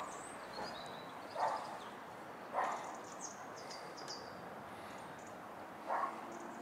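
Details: Great spotted woodpecker at home in Ljubljana, recorded from an attic on 2 November 2023, giving three sharp, abrupt 'kik' notes at uneven intervals, with faint high twittering of small birds behind.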